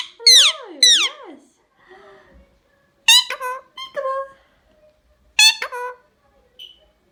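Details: Indian ringneck parrot indoors giving loud, harsh screeches with rich harmonics that sweep and waver downward, in three bursts spaced about two seconds apart, with softer warbling voice-like notes between them.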